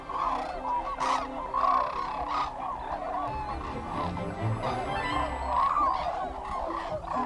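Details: Flock of white-naped cranes arriving in October at harvested rice fields of the Cheorwon plain, Korea, after a 2000 km flight from Siberia to winter; loud, overlapping honking and trumpeting calls with faint music behind.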